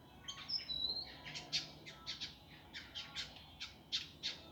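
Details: Indigo flycatcher master recording for training birds in a rough, fast, dense style: a few thin high whistles followed by a steady series of sharp, harsh chips spaced about a quarter second apart.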